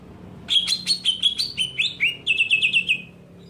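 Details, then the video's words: Greater green leafbird screaming to provoke other leafbirds: varied sharp high notes with upward and downward slurs, then a quick run of about seven even clipped notes, with faint hum beneath. "JERITAN CUCAK IJO BIKIN EMOSI IJO LAIN"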